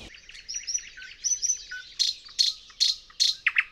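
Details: Thrush nightingale (Luscinia luscinia) singing in Poland in spring, recorded with a parabolic mic: high, varied whistles and trills, then a run of loud, dry clacking notes about two per second, ending in two lower notes.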